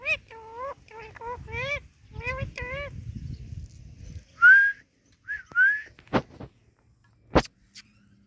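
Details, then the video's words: Talking parrot playing with guava: a run of short wavering harmonic syllables like spoken words, then several clear rising whistles and sharp clicks, with low rustling beneath the first half. "Talking Parrot Playing with Guava"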